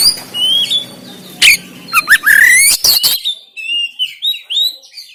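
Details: Caged oriental magpie-robin in Banten, recorded on an Android phone, singing harshly to stir a lazy bird into song and tail-spreading: whistled notes and rising slurs mixed with sharp clicks and burst notes, then a run of short high chirps.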